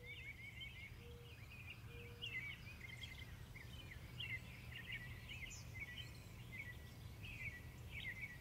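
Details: Western bluebirds gathering food for their young give soft, short chirping notes in quick succession throughout, over a steady low rumble of background noise.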